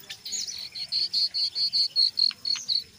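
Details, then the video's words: Jongkangan coklat in full, lively ngeriwik chatter, used as a lure to get other jongkangan singing: a fast series of about a dozen clear, high, evenly pitched chip notes, with a few sharper higher notes breaking through near the end. "SUARA BURUNG JONGKANGAN COKLAT NGERIWIK GACOR"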